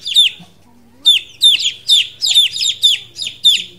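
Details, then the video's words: Two-day-old chicken chicks in a brooder with many other chicks give high, piercing peeps that slide downward, repeated roughly every third of a second after a short pause, with a faint low hum behind. "The sound of the chicks"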